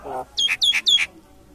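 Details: Common myna, called shalik, said to be talking: a short low rough note, then three loud sharp calls in quick succession, each a high whistled slur falling into a harsher burst, spaced about a quarter second apart.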